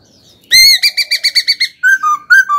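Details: Laughingthrush singing a stimulated kích bổi song: a long clear whistle, a rapid string of seven pulsing notes, then rich alternating high and low slurred whistles.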